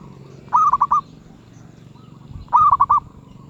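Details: Zebra dove, medium-pitched voice: two separate bursts of four clipped, rolling coo notes about two seconds apart, with a faint low rumble between them.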